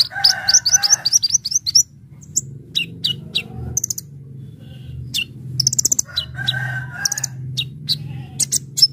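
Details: Brown-throated sunbird singing energetically in full fill-in style for luring: an opening rattle of quick high notes over a lower buzz, scattered sharp chips, then another buzzy chattering phrase.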